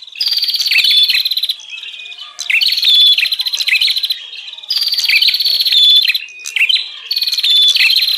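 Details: Three evenly spaced bouts of loud, buzzy bar-winged prinia chattering, each about one and a half seconds long with quieter twittering between, played to attract wild prinias.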